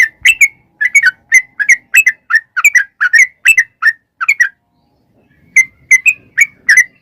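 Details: Sooty-headed bulbul singing energetically in a long rapid-fire style, used as a lure to provoke other bulbuls to sing. Short bubbly chirped notes repeat quickly for about four and a half seconds, pause, then resume in a brisk series.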